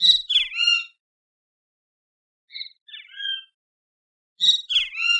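Great kiskadee giving loud, harsh, three-part phrases with a falling, slurred ending, repeated three times about two seconds apart; nothing else is heard.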